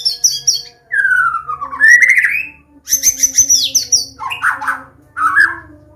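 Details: Medan white-rumped shama song played to teach young birds: high stuttered notes, a long falling whistle, a rising buzzy phrase, then very high whistles dropping into lower, rich warbled notes.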